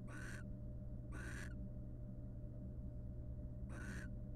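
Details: Wild barn owl pair courting in a nest box by preening; three harsh, noisy hiss-screeches, the first two a second apart, then a gap of over two seconds before the third, low hum throughout.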